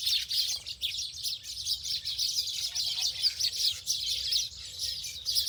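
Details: Many birds chirp together in a continuous high, busy twittering chorus. A few faint lower sounds and a soft hum lie underneath.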